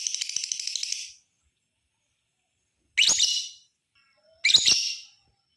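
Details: Lovebird ngekek chatter meant to get other lovebirds calling: a run of rapid, even stuttering notes, a long pause, then two loud harsh rasping bursts about a second and a half apart.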